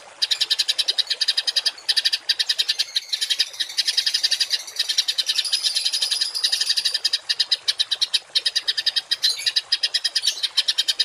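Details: Continuous harsh songbird chattering for training kept birds to sing rough 'tembakan' notes: rapid rattling pulses and scratchy buzzes run almost without pause, rising and falling in loudness.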